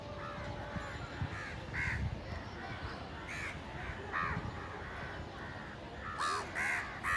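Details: Hungry village crows fighting for food, giving loud harsh caws: scattered single caws, then a rapid burst of three near the end, over steady background noise and faint voices.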